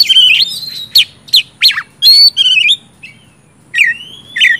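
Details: Oriental magpie-robin song meant to coax quiet birds to sing: a whistled opening, then several sharp descending chips and a buzzy phrase, a brief pause, and a rising whistle with a final note.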